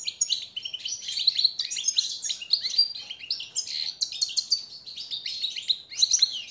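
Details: European goldfinch song used as a master training and motivating song for captive birds: a fast, continuous twittering of bright tinkling notes, buzzy trills and quick rising and falling chirps, delivered almost without pause, with no other clear sounds.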